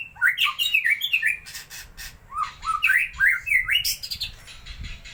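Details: White-rumped shama song used as a lure for other birds: varied, rich whistled phrases with sliding and squawky notes in quick bursts, pausing briefly midway before another lively run.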